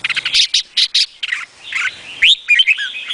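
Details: Red-whiskered bulbul: a quick series of harsh, buzzy chirps, then a smoother rising whistled phrase and a few bright warbled notes at the end.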